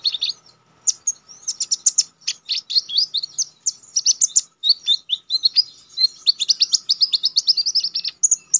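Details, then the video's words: Konin songbird singing eagerly in a wild, sharp style, recorded as a master track for training other contest birds: rapid, continuous high twittering of short sweeping notes and clicks, accelerating into fast even trills, near-silent background. "Konin damer gacor ngalas nembak tajam‼️ampuh buat masteran"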